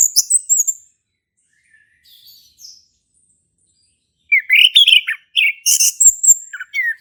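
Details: Male orange-headed thrush in ngeplong song as a lure for a silent thrush: a high whistled phrase, a long quiet stretch with faint notes, then a renewed burst of rapid, sweeping, chattering phrases.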